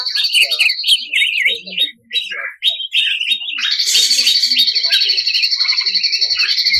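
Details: Greater green leafbird, national contest winner of 2021, with vibrating-beak 'ngebren' song: jerky repeated warbled phrases over a steady high whistle, building into a long trilled stretch.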